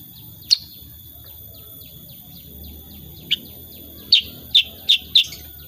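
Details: Kutilang sutra, a sooty-headed bulbul, singing 'gacor' style with 'tembakan' bursts: a lone sharp chirp, a long pause, then a run of four loud clipped notes, with faint quieter chips, a constant high whine and low background murmur.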